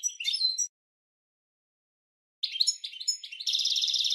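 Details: Twittering European goldfinch song meant for training cage birds: a short chirpy phrase, nearly two seconds of silence, then jumbled high notes running into a rapid, buzzy repeated trill at the end.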